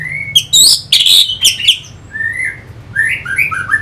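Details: Orange-headed thrush, anis merah of North Bali, singing a lure song to provoke fighter birds: loud shrill squeaks and harsh notes, then gentle rising whistles and short warbled phrases.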